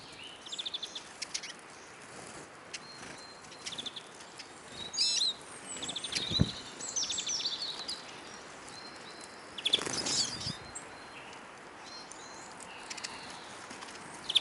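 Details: Hungry Eurasian siskins at a bird feeder in Kolmården, Sweden, recorded from the ground beneath, twitter in thin, high chirps in quick bursts throughout, with wing flutters and a couple of dull knocks.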